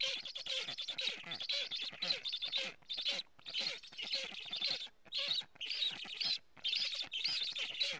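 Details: Black stork young in their nest in Estonia, recorded by a live camera on 15 July 2017 as a strange stork is near; breathy, grating hiss bursts come in uneven clusters with short silent breaks.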